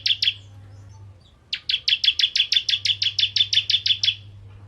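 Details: Bar-winged prinia of the 'ciblek kristal' variety, vigorous song meant to stir other prinias to sing: two sharp notes, a one-second pause, then a loud even run of about sixteen high clipped notes, with a steady low hum.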